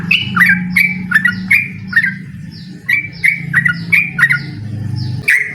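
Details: A yellow-vented bulbul sings energetic ropel, inviting a rival to duel: clusters of quick, gurgling chirps and slurred whistles, with brief pauses between bursts and a steady low hum behind.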